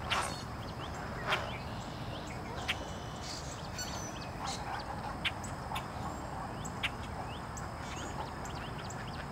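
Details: Great blue heron chicks soon after hatching, at feeding time as an adult arrives, giving frequent calls perhaps to attract the parent: thin, quick upswept chirps in loose irregular series, some sharper clicks, over constant low rumbling background noise.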